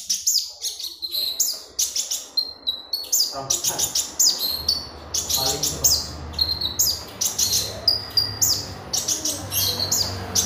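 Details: Magpie robin in long continuous song, for training other birds: dense streams of high, sharp, buzzy chirps and short whistles, with low hum and faint background murmur.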